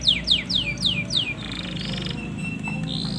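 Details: Male canary song meant to stimulate a female for mating: five loud, steeply falling whistled sweeps, followed by a softer buzzy tone and a steady thin whistle.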